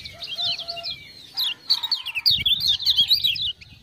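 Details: Lemon-bellied white-eye (kecial kuning) from Lombok, a captive tutor bird, sings in response to ciak-ciak sounds. It gives quick, high, warbling zigzag notes that grow louder into a dense twittering run. A low whistle sounds early, with faint rustling.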